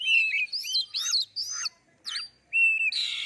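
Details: Oriental magpie-robin song meant to provoke other birds into singing: loud, clear whistled phrases with rising and falling slurs, broken by short pauses and ending in a scratchy buzz.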